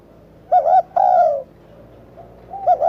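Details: Spotted dove uttering one short-long coo pair, the second note sliding downward, then a quieter coo starting at the end.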